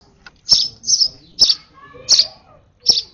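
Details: Over-excited sparrow nestling being hand-fed at its last feed, giving loud, sharp, high chirps in quick bursts, five in about three seconds, with quiet gaps between.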